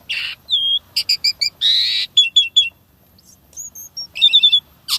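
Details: Asian pied starling with showy 'isian tembakan' filler song: a harsh note, a short whistle, quick paired chips, a long buzzy burst, a soft high whistled phrase and a chattering run of clipped notes.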